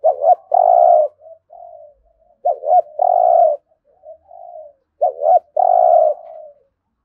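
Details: Spotted dove 'thúc gù' cooing for everyday decoy training: three phrases about two and a half seconds apart, each two short looped notes and a long steady coo trailing into softer drawn notes.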